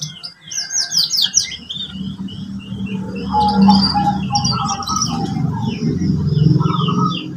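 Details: Canary song played as a lesson for young birds learning to build song: fast repeated high descending chirps, sweeping twitters and mid-pitched rolling trills, sung over a constant low droning hum.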